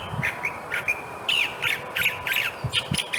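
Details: California thrasher singing on a hillside wilderness hike in Monrovia, California: a varied run of short buzzy, scratchy and whistled phrases, each different, given in quick succession over a steady background hiss.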